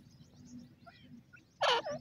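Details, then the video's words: Francolin (jungli teetar) calling: after a quiet stretch with low rumble, one loud harsh, strident burst rings out near the end, followed by a shorter, softer echoing note. "jungli teetar birds sounds,khani teetar ki awaz"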